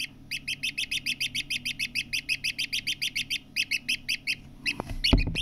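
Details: Partridge chick peeping steadily: a long, rapid series of high, bright cheeps, roughly five per second with brief breaks, ending in a low thump and handling noise.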